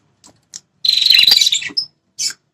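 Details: Prinia (prenjak kepala merah) call for provoking wild males defending territory; a few soft ticks, then a dense, fast, raspy chatter of about one second, a thin whistle note and a final short chip.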